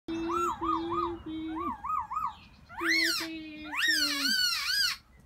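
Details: Black-throated laughingthrush in spring, calling out for a new mate: sets of three wavy whistled notes, then louder arched, harmonic-rich notes. A steady low tone runs underneath in bursts.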